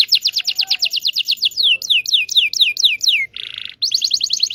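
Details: Indonesian local canary giving lure song to coax silent or young canaries: fast trill of downslurred notes slowing into separate falling sweeps, a short buzz, then another quick trill.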